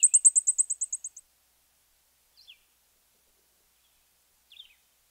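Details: Blackpoll Warbler (Setophaga striata) song: a rapid, insect-like burst of about a dozen very high, thin staccato "tick" notes on a single pitch, tapering in and out, just over a second, then two faint downslurred chips.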